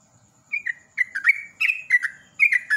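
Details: Brisk warbled phrases from a sooty-headed bulbul in 'ropel' lure song: after a short silence, liquid notes sliding downward come in quick groups about every half second.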